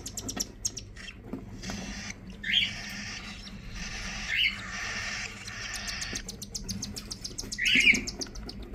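Cockatiel chicks give harsh, buzzy begging calls in long raspy bursts as their parents feed them.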